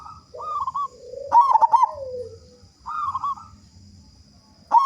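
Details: Local zebra dove (perkutut) with a big voice in full song, used to prompt other doves to sing: soft hooked coos, then a loud stuttering trilled coo burst, another soft phrase and a new burst starting; faint steady high whine behind.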